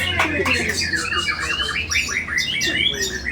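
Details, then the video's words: Bowing white-rumped shama pouring out an imitation-packed song of fast rising and falling whistled slurs, steady and loud over a low background hum. "MURAI BATU SUJUtt.. ISIAN SUPER MEWAH.. PERIH BETUL SUARA NYA!!"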